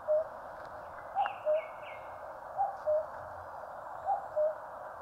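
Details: Two-note cuckoo call, high then low, repeated three times in a Korean mountain setting, while another bird adds short chirps above and a steady background hiss fills the scene.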